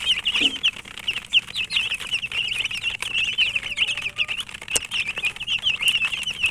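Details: Chirping chicks of the domestic chicken: a continuous flock of thin, high peeps, individual notes wavering up and down, plus occasional sharp clicks and scratching sounds.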